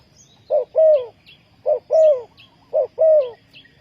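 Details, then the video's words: Spotted dove cooing to lure wild doves for trapping. Three clear phrases, each a brief soft note followed by a longer, gently descending coo, spaced about a second apart. Faint high twitters from other birds. "นกเขาใหญ่สายต่อดิน,Tekukur pikat,Cu gáy Ninh Thuận,Sound Of dove"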